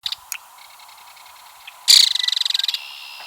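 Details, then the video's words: Female belted kingfisher at Ted Shanks Conservation Area, Pike County, Missouri, gives a loud, high, harsh dry rattle of about twenty rapid clicks in under a second, apparently excited after another kingfisher, maybe her mate, flew by rattling. Faint ticks and a thin buzz come before it. "Belted Kingfisher Rattle sound"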